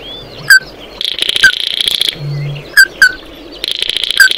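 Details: Flock-calling Oriental white-eye giving isolated sharp downslurred chips between bursts of harsh buzzy twittering, with a short low hum midway.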